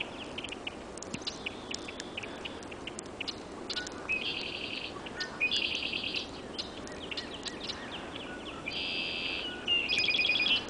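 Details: Some of 21 Red-winged Blackbirds perched high in a snowstorm on April 11, 2013, at about 7:15 am, give sharp check notes and four buzzy, harsh trills, each about a second long, over a steady wind-like hiss.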